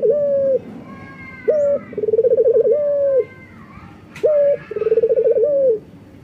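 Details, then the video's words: A male local collared dove in full breeding condition, calling to a female, gives a short level coo, then a long, rolling, purring coo that trembles before it ends, heard twice over faint background noise. "BURUNG PUTER LOKAL JANTAN BIRAHI MEMANGGIL BETINA"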